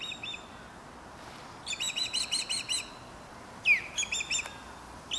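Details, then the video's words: Osprey calling in Dartmouth, Nova Scotia: a crisp series of six loud, ringing chirps, then a strong downslurred whistle followed by a few more chirps, over quiet background hiss. "Osprey Calling"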